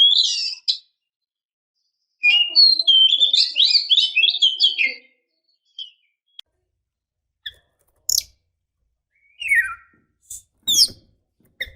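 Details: Oriental magpie-robin female calling to provoke males into singing: a dense burst of varied high chirps and warbles from two to five seconds, then scattered sharp downward clicks and short notes.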